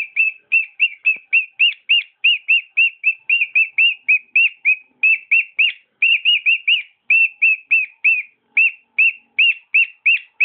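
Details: Pet cockatiel song made of bright, rapidly repeated whistled notes at an even pitch, running almost continuously with small pauses.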